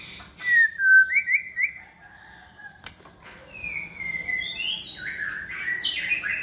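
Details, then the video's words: Caged white-rumped shama, second-season bird raised from a young age and kept for song competition, gives clear whistled notes and quick upslurred trills, then softer, lower warbled phrases continuing to the end. "chòe lửa dáng sẻ, hót cực bền nết chuẩn đấu giàn"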